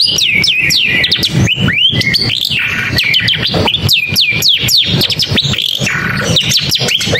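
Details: Long-tailed shrike giving a lively song of repeated quick upswept and downswept whistles, tumbling chirps delivered in rapid clusters with short pauses, set against faint low background hum.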